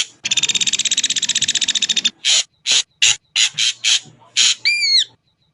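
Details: Ashy drongo: a sustained pulsed buzzy rattle, then a string of short rasping notes, ending in a clear arched whistle that slurs downward.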